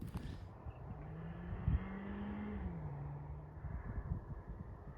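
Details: A vehicle's low engine rumble drones steadily on the prairie, with a brief flapping thump midway and no animal calls.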